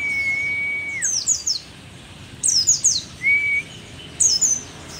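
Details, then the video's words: Rare Merapi-endemic mountain white-eye, an old bird still singing strongly: a long, flat whistled note, then three bursts of high, tumbling, descending chirps and a shorter whistle between them. "pleci merapi tak kan pernah ingkar janji, tua tua gacor"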